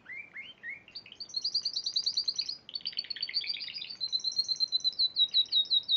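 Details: Winning Spanish Timbrado canary at the March 2014 Piala Raja singing competition: rising swooped notes open into dense high rolling trills, ending in a rhythmic series of sharp, evenly spaced whistled pulses.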